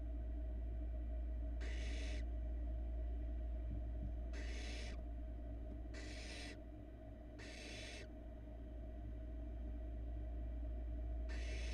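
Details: Youngest barn owl chick in a Florida nest box, swallowing a big rat; five rough hissing bursts, irregularly spaced one to three seconds apart, each about half a second, with a steady hum of camera equipment.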